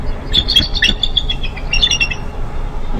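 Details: Bald eagle at the nest during pip watch on 4 April 2015, day 35. Sharp, high chirping notes tumble out irregularly in two short clusters, then fade to a low background hum.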